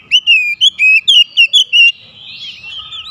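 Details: An Oriental magpie-robin calling to a companion, with eight loud, clear whistled notes in quick succession, each slightly wavering in pitch, followed by quieter, fainter whistles as the sound tails off.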